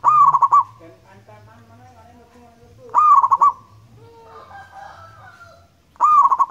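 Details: Repeated song of a local wild zebra dove (perkutut) used as a lure: three bursts of quick, pulsing coos roughly every three seconds, with softer tonal calls and faint background noise filling the gaps.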